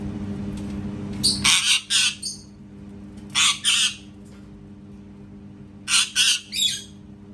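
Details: Parrot giving loud, harsh squawks in three clusters of two to four rasping bursts each, with short quiet gaps between them and a faint low hum.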